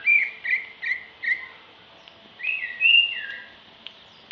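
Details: A female greater green leafbird gives short clear whistles, four evenly spaced notes followed by a longer rising and falling whistled phrase, then quiet with a few faint clicks.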